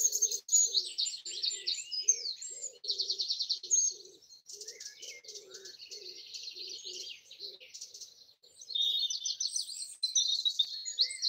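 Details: Early-morning birdsong on Easter Sunday 2020 from trees at a house in Broadford, Kildare, Ireland: a dense chorus of high twittering trills, with a soft low cooing repeated steadily underneath for most of the recording.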